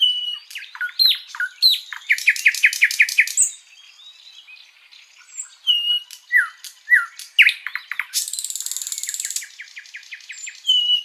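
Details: Flycatcher (sikatan londo) singing at length as tutor song for other birds: slurred whistles, then a rattling series of rising notes, a pause, swooping upslurs and sharp ticks, a long high buzz, then a final whistle.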